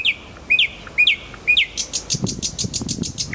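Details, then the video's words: Nightingale in Kuzminsky forest park repeats a sharp rising note five times, about twice a second, then breaks into a fast buzzy series of strokes. "Голос соловья и он сам в конце ролика"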